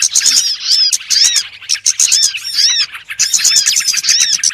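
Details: Small birds in a lure recording used for trapping: a dense, overlapping chorus of high, arched chirps and rapid twitters, with a short pause near the middle, then the chattering resumes.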